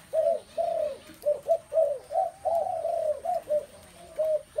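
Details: Many spotted doves calling together, a dense run of low, soft, rounded coo notes that rise and fall and overlap almost without pause, with a faint steady high electronic whine behind them.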